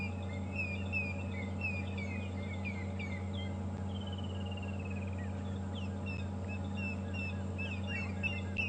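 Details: Helmetshrikes call during a morning safari drive at Djuma Game Reserve, South Africa, on 4 February 2015, in a busy run of chattering chirps and short whistles, with one quick falling trill, over a steady low engine hum. Helmetshrike.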